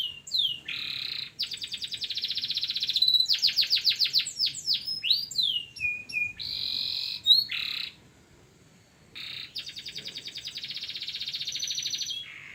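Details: Local canary, masteran recording: rolling trills and buzzy blocks with a bright piercing whistle, then a near-silent gap before a fresh rolling trill resumes.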